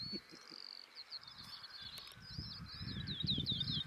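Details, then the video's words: A Woodlark sings from a tree above a sandy path in East Anglia in the early morning, near displaying Stone Curlews: high, liquid looping notes in quick, rolling phrases, over a low rumble of wind. "singing Woodlark"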